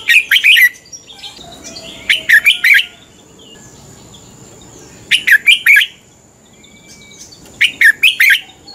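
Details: Red-whiskered bulbul singing its fighting song, used to train birds each morning: short, loud bursts of four or five quick whistled notes, repeated roughly every two to three seconds, with soft high whistles in the gaps.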